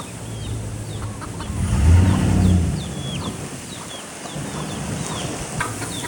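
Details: Feral chickens near Paradise Bay Resort, Oahu, Hawaii, in summer give low, throaty clucks that swell in the middle, under a rumble of background noise, while small birds add quick, thin downslurred chirps throughout.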